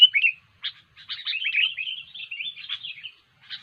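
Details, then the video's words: Sooty-headed bulbul (kutilang) in lively, non-stop song, used as a lure for trapping: a short burst of bright, buzzy chattering notes with quick rising and falling twitters. A brief pause follows, then a final chirp. "SUARA BURUNG KUTILANG GACOR"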